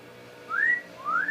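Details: Pet talking parrot, a male indoors, whistling: two clear rising whistled slurs, each sweeping upward then levelling, separated by a short pause in a quiet room.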